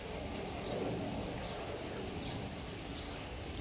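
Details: Steady rain-like hiss and patter across the whole recording, with no animal voice heard.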